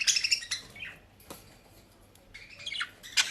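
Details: Domestic budgerigars kept in the Netherlands, picking at dry leaves and grass, give clusters of high, thin chirps at the start and end. A quiet gap with faint rustling lies between them.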